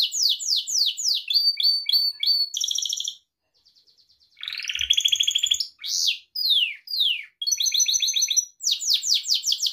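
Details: Gloster canary singing a varied sequence of quick falling trills, clipped repeated notes and buzzy rolls, with a short quiet gap of soft ticks before a loud rasping passage and further rapid trills.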